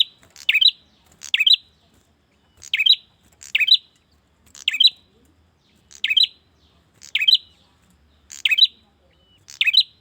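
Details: Male bar-winged prinia (prenjak) calling to a female. Crisp, high, snapping chirp bursts come mostly in doubled pairs, repeated steadily about every second. Quiet background.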